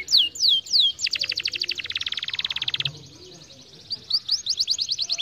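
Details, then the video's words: Song of a canary, used to stimulate lazy canaries to sing: a few falling whistles, a fast dry rattling trill lasting about two seconds, then a run of quick rising whistled notes. "muito bom para estimular o som de canários preguiçosos"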